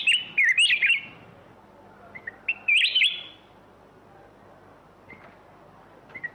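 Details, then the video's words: Rich, liquid whistled phrases from a black-crested bulbul, each a rapid burst of wavering notes, separated by quiet gaps with a few softer short calls. "เสียงนกปรอดเหลืองหัวจุก (ສຽງນົກຫອນຫົວຈຸກ)"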